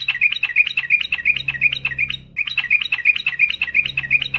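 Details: Yellow-vented bulbul (trucukan) in gacor, long 'ropel panjang' song style, used as a master recording to get quiet birds singing: two bursts of quick, high chirped notes repeated several times a second, briefly broken by a pause.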